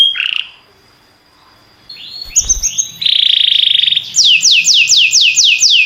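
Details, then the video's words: Canary song opening with a brief chirp and a quiet pause, then soft notes, a dense buzzing roll, and finally a run of seven clear downward-sweeping whistles repeated about twice a second. "This Sweet Melody Will Excite Your Singing Canary!"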